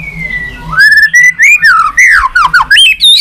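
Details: White-rumped shama in 'tạch' song: a smooth falling whistle leads into a chain of clear, flowing whistled notes that rise and fall, closing on a higher slurred phrase.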